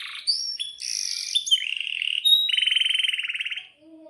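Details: Canary in lively song, used as a lure so other canaries start singing; high chirps and buzzy notes give way to a long, even rolling trill lasting about a second before stopping.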